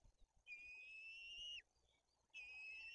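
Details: White-tailed eagle nest in Bory Tucholskie, Poland, with two chicks being fed fish and the older chick aggressive; two fairly faint, steady, high whistles, the first ending in a sharp downward slur, over a rustling, noisy background.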